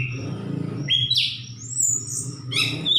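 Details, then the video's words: Orange-headed thrush giving short bright whistled phrases and a high thin note over a noticeable low background hum. "Burung Anis kembang gacor"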